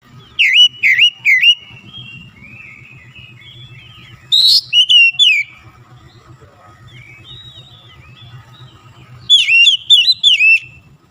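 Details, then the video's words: Oriental magpie-robin in full, vigorous song: three loud bursts of sweet, looping whistles and quick slurred notes, each about a second long, separated by pauses, over a steady low hum. "TEMBAK SUARA KACER LANGSUNG GACOR"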